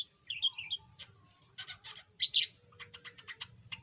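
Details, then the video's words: Chattering yellow budgerigar, formerly silent, with a short wavering squeaky phrase followed by scratchy bursts, a loud harsh double chirp and quick clicking notes over a quiet low hum. "Kicau Burung Parkit"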